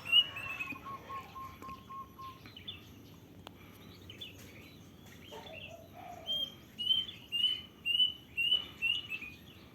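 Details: In the wild, a plaintive cuckoo closes with a regular run of about six bright whistled notes, each about half a second apart, after a quieter stretch holding a long even low whistle and a lower slurred call from other birds, over background hiss.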